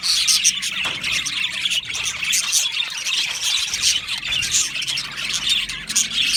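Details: Australian budgerigars in a colony aviary during breeding, giving a constant stream of shrill squeals and chirps from many birds at once, which rises and falls in loudness.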